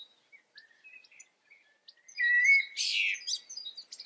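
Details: European goldfinch filmed near home in the Eifel: scattered thin high chirps at first, then a loud buzzy, twittering burst of tangled notes for about a second, followed by a few sharp tinkling notes.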